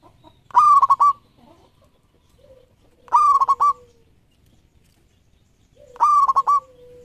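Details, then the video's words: Local zebra dove, 13-feather tail, sings three evenly spaced cooing phrases, each a ringing note with quick stuttered breaks, every three seconds, with soft lower hums between them. "Perkutut Lokal Gacor Ekor 13"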